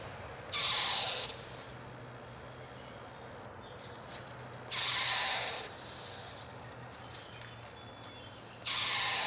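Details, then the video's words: Screech owl from a nesting family in a yard in northeastern Pennsylvania giving three harsh, breathy hisses, each under a second long, spaced about four seconds apart over faint background hum. "SCREECH OWL"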